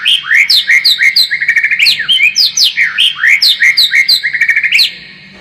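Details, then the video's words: Lure song of a white-rumped shama meant to sharpen a bird's fighting spirit; a fast, continuous stream of varied whistles, sliding notes and rapid trills, richly layered and loud. "SUARA PANCINGAN MURAI BATU AGAR MENTAL SEMAKIN FIGHTER"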